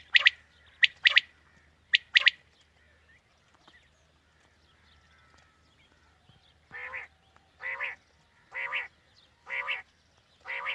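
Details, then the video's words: Quail calling meant to draw birds for a morning hunt. Two clipped three-note phrases open, a quiet stretch follows, then five drawn-out harsh notes come about a second apart. "Quail Calling 2020 | Batair Ki Awaz suba ki shikar Ki liye"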